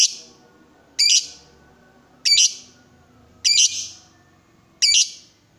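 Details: Lovebird, excited and provoked into calling, giving loud harsh high chirps about once every second and a quarter, each a short burst with a fading tail; quiet indoor background.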